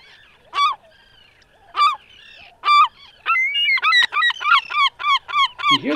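A Herring Gull long call: three spaced, nasal squealing notes, then a fast run of about eight loud yelping notes ending the sequence.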